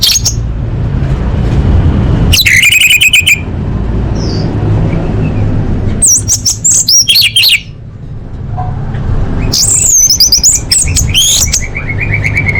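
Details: Orange-headed thrush song used as training material for competition birds, full-variation style: loud bursts of rapid, sharply modulated high notes and trills separated by pauses, over a steady low hum.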